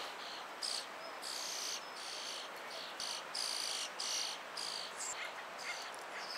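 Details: Hungry European starling nestlings calling from a tree cavity as the parent delivers food; a run of sharp, sibilant, wheezy bursts, steady and closely spaced, over soft background hiss.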